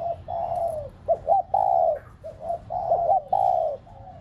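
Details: Cooing decoy spotted dove meant to set pet doves cooing: quick pairs of short notes each followed by an extended, slightly descending coo, repeated in steady rhythm.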